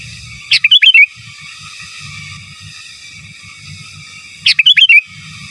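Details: Sooty-headed bulbul master song in the gacor, giras and menggaruda style: two matching bursts of bubbly, fluty whistles about four seconds apart, with soft low rumbling between them.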